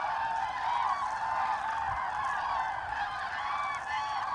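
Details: Autumn migration of common cranes over Hesse, Germany, on 25 October 2021. A flock gives a steady wash of rolling, trumpeting calls, with several clear, drawn-out bugles repeating above the chorus.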